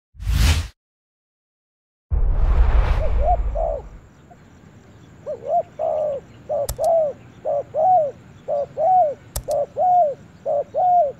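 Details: Spotted dove in a forest; after a sharp knock and a burst of rustling, low hollow coos start softly, then come in a steady run of short arched notes, about two each second, with two sharp clicks in between.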